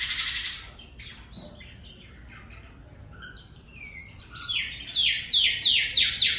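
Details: Northern cardinal (Cardinalis cardinalis) imitating a canary's song: a varied, high twittering run of canary-like notes, ending in five loud, quick downslurred whistles about three per second.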